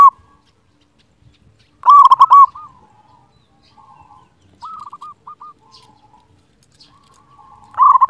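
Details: Zebra dove, local bird with a big, loud voice, used as a master song to prompt lazy doves to sing; loud stuttering coo phrases, a fast trill of notes followed by softer drawn-out tones, repeated with quiet gaps.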